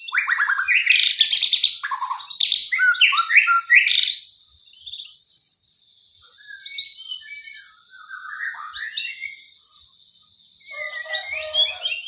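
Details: A male white-rumped shama sings in the morning as it sunbathes. The song is a varied string of quick, high whistles and chirps with rising and falling slides, broken by short pauses, then resumes with rapid twittering.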